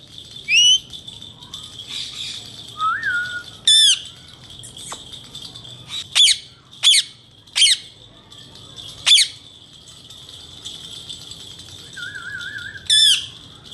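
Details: Male Indian ringneck parakeets, kept as talking pets, give loud, shrill, rasping screeches at irregular intervals. Between them come sharp single squawks and two short warbled, wavering whistles.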